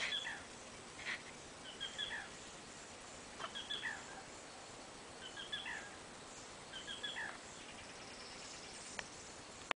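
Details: Black rail calling in its habitat along the Bill Williams River, Arizona, USA: short, high, three-note 'kik-kee-der' calls repeated every second or two, faint over steady background hiss with possible insects.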